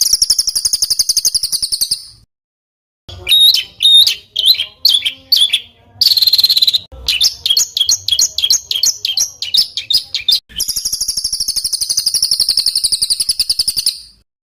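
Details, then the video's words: Rough rolling bird song compiled for training competition birds: a long steady high trill, a pause, then varied harsh chattering and whistled phrases, ending with another sustained rapid trill. "ROLL RAPAT KASARAN || TEMBAKAN Kasar Untuk BURUNG FIGHTER"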